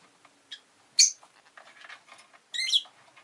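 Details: Pet rosy-faced lovebird, one of two new arrivals at home, gives piercing shrill chirps, a quick faint one, then a loud sharp note and a longer harsh burst, with soft traffic and household clutter between.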